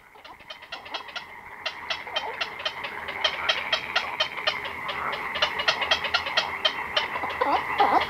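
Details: Black-crowned night herons, chicks and adults, calling close up in a colony at night: rapid, dry ticking pulses about twice a second that build in loudness, over a dense chattering din from many other birds.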